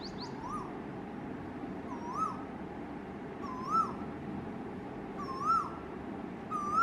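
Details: Male Asian koel singing: a series of clear whistled two-part notes, each rising at the end, repeated roughly every one and a half seconds and growing slightly louder, over a steady low background hum.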